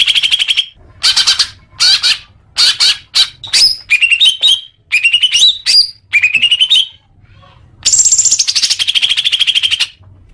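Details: Leafbird song meant as therapy for young captive birds: bursts of scratchy chatter alternate with sharp rising whistled notes and slurred phrases. A long buzzy trill near the end is followed by quiet.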